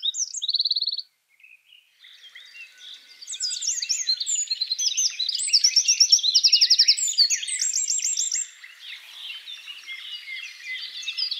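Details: Eurasian wren (Troglodytes troglodytes), song.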